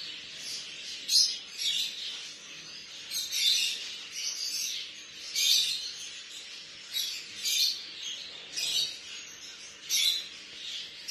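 A baby budgerigar gives raspy, buzzy begging chirps in quick bursts while being hand-fed.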